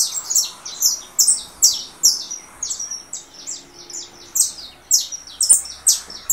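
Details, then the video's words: Coming out of molt, a russo saffron finch sings in contest with a canary played on another phone: clusters of piercing, high downslurred notes, roughly two per second, in irregular bursts with short pauses. "Canário da terra russo."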